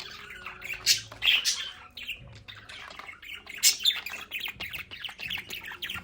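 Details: Budgerigars in their home play area: lively warbled chattering mixed with sharp, high squeaky squawks, coming in irregular bursts every second or so.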